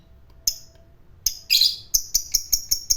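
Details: Lovebird fighter lure: isolated sharp chirps, a short chattering burst, then a quick run of high ticking chirps about five per second.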